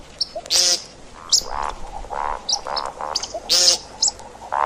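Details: See-see partridge, sound meant for hunting: loud shrill squeals open and close a run of lower, nasal croaking notes, irregularly spaced over a few seconds.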